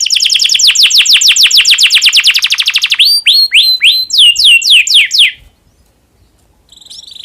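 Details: Canary in breeding condition singing to prompt other canaries to sing: a rapid series of descending whistled notes, then slower sharp slurred notes, a short pause and a faint final trill.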